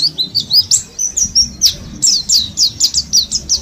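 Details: Caged Mountain white-eyes from Mount Slamet, kept together as a group and ten days into learning ngalas-style singing: rapid high chirped notes, each sliding downward, run in quick twittering bursts with no other clear sounds.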